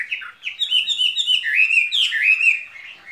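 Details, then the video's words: High, fluid warbling from a caged skylark's spring song, with rolling slurred notes and rapid twittering ornaments running without pause. "Chim quý ở lồng son ca bản tình ca mùa xuân"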